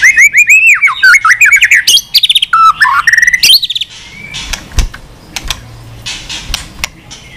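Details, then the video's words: Caged white-rumped shama singing persistently with many unusual voices: fast rolling whistled phrases sweeping up and down for four seconds, then quieter clicks and faint whistles. "chòe lửa hót nhiều giọng lạ"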